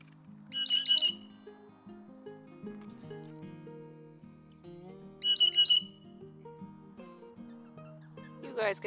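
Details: Harsh, raspy Blue Jay squawks, two about four seconds apart with a rough end note, over soft music; a flock of Blue Jays in northern Canadian woods during July 2020 fledgling season, where adult jays often fight.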